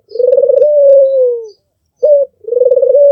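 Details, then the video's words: Albino Barbary dove, red-eyed, with a sweet coo: a trilled, throbbing phrase flows into a long, gently descending note. After a pause comes a crisp short coo, then another rolling coo begins. "SUARA BURUNG PUTER MERDU"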